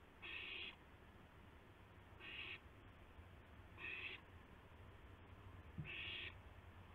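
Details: Four raspy, noisy screeches of about half a second each, spaced one and a half to two seconds apart, from an owl at 2:51 AM on 2 April 2016 as a gopher is passed between owls; a faint knock too.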